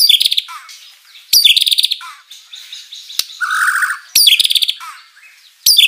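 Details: Mimicry-filled white-rumped shama song used as a lure for rival birds: repeated loud buzzy high trills, each followed by a falling whistle, with a lower fluttering warble between bursts.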